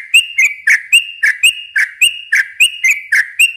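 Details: Rapid, evenly spaced liquid double notes from a yellow-vented bulbul, about two per second. The long song is meant to lure young birds and make them sing.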